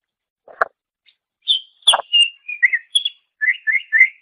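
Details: Greater green leafbird song meant as a training master for songbirds: a sharp click-like note opens, then a chain of bright whistles and slurred phrases, ending in three similar rising-falling notes repeated quickly.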